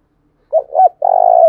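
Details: A single phrase from a decoy spotted dove's thúc bổi lure call: a short coo, a second slurred coo, then a long vibrating croo. The voice is described as thổ đồng.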